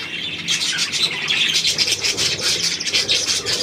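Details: Lively budgerigars on 9 February 2024, a dense wash of high squeaky twitters and short chirps with no break.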